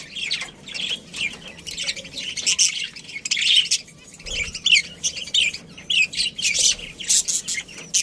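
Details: Budgie colony with a breeding pair, a dense run of high chattering chirps and squawks in quick, irregular bursts from several birds, with a faint low thump midway.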